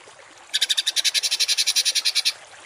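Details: Songbird on a masteran training recording of rough 'tembakan kasar' burst song, used to teach cage and contest birds: one rapid, evenly pulsed high rattle of about eighteen notes lasting under two seconds, then quiet.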